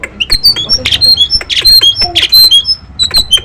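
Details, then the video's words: Loud Nias hill myna, a tame bird singing freely as a lure for quiet birds: rapid sharp squawks and short high whistles, packed closely in an uneven stream. "jalak Nias yang gacor cocok untuk pancingan burung anda"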